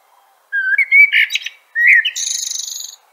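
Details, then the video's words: Common blackbird (Turdus merula) singing two phrases, each a mellow, fluting low whistle breaking into a high, squeaky twitter; no other sounds. "Bird Song - Common Blackbird"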